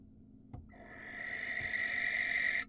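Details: Single wild barn owl screech, recorded by an Israeli nest cam while the bird calls to attract a female. After a brief knock, a harsh rasping note swells and holds for about two seconds.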